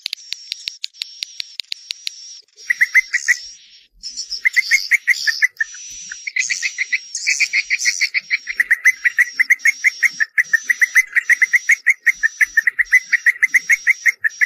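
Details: Swiftlet (Collocalia vestita) call sound, one of three call types, with added frequency: quick high clicks and a thin steady tone at first, then buzzy chirps and fast rhythmic ticking repeated about three times a second.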